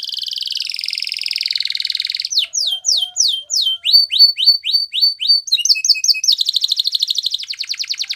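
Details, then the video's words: For training canaries, a Spanish Timbrado canary sings a long rattling trill, then sharp descending notes, a string of rising slurs, paired-note phrases and a fast chattering roll. "Canary Training Song | Canary Spanish Timbrado"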